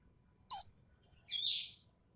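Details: Racket-tailed treepie (ekek keling) from Sumatra, described as having a sharp, harsh voice, in a song-training recording: one loud abrupt high rasping note, then a softer, longer buzzy note after a pause, with silence between.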